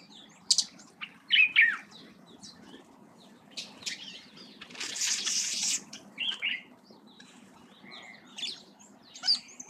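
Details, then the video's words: Village weaver (Ploceus cucullatus) near Lake Elmentaita, Kenya, giving scratchy, buzzy chatter and sharp chips in irregular bursts, with a burst of wing flutter and a low background hum. "Village Weaver"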